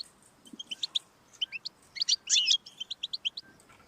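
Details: European goldfinch song played to encourage a pet goldfinch to sing: rapid bright tinkling notes between twittering bursts, with a short buzzy rasp near the middle, on a quiet background.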